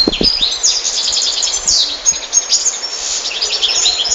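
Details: European goldfinch singing a rapid, continuous twittering song of tinkling, buzzy high notes and quick trills, with no pauses across the stretch and faint low knocks at the start.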